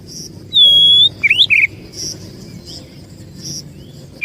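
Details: Oriental magpie-robin (kacer) lure song used to attract birds: a loud pure whistle near 0.6 s, then quick rising and falling chirps, over a steady low hum of background noise.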